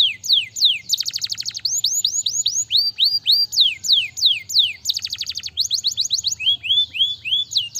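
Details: Lively canary song mixing swooping whistled notes with fast buzzy rattles, phrases changing every second or two, loud and continuous throughout.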